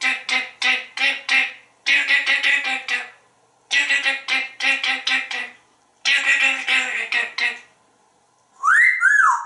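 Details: Talkative male African grey parrot kept at home in Texas performing a song: rapid bursts of speech-like 'doo' syllables in groups of four to six, separated by short pauses, ending with a rising and falling whistle, indoors.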